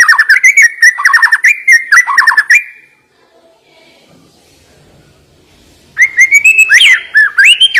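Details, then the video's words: A white-rumped shama (murai batu) sings fast repeated whistled slurs and sharp high notes, pauses into near silence for about three seconds, then resumes with rising, ringing phrases. "Ngeri Isian Murai Batu Ini Nembak Tajam Naikan Emosi Burung Malas Bunyi"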